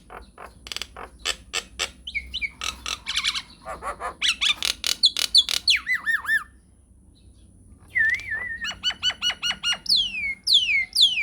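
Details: Nias hill myna singing a long rolling lure song meant to make other birds answer: sharp clicking notes in quick runs, downslurred whistles, a brief pause, then rising and falling whistled phrases and sweeping calls.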